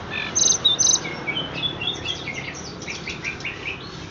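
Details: Horsfield's bush lark, called tledekan, gives a fast run of bright chirps and short whistled notes, beginning with two loud buzzy bursts and then settling into quicker, softer twitters.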